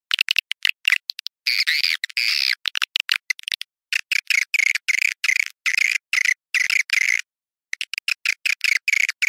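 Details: Swiftlet calls of the "Awan hitam" type: a steady run of sharp, buzzy chirps packed into bursts, with one longer churring phrase early on and a short pause before the chattering resumes.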